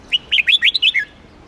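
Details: Red-whiskered bulbul of the Huế type, Vietnam, sung for contest training and to rouse newly caught wild birds: one quick phrase of about seven bright, slurred whistled notes, rising then falling, ending on a lower downslur, over a quiet background.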